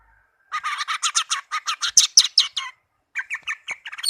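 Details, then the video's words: Caged tame orange-headed thrush giving a harsh, rhythmic series of about fifteen buzzy, grating notes in rapid succession, followed after a pause by a few softer chattering notes. "Anis merah kicau merdu"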